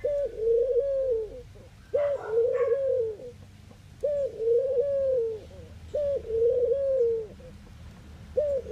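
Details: Low cooing of a Eurasian collared dove in the Netherlands, each phrase a brief sharp onset sliding into a drawn-out rolling coo, about four phrases in under nine seconds, with a brief higher chirp near the second phrase.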